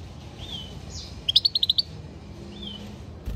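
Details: European goldfinch singing: a quick burst of about six bright, clipped chirps high in pitch, framed by faint slurred whistles before and after, over a low steady background hum.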